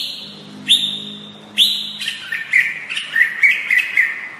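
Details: White-rumped shama song opening with a long steady high whistle, sharp upward clicks, then a string of short warbled whistled notes repeated roughly every third of a second over faint background hum.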